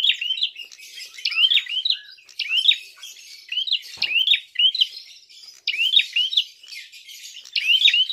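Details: Prinia calling to provoke other birds in a fight: steady chains of upslurred chirps in groups of two or three, repeated throughout without long breaks, plus a faint click.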